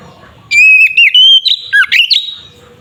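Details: Fighting song of a white-rumped shama, used to stir other shamas to aggression: a steady whistled note, then twisting, dipping phrases and buzzy slurs in one continuous two-second burst.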